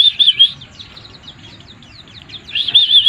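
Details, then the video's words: White-eye in 'mabuk' (drunk) song: a loud wavering warble, then a soft patter of scattered chirps, then the loud quavering warble comes back. "burung pleci mabuk"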